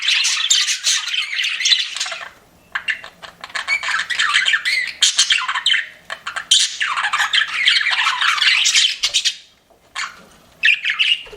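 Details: Pet budgies chirping in a flirting mood. Bursts of busy, scratchy warbling and squeaky chirps run for a few seconds each, separated by short quiet breaks, with a final brief burst near the end.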